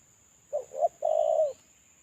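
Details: Single phrase from a spotted dove kept as a lure bird while moulting: two short rising coos then a long level hoarse coo, with a faint high whine behind.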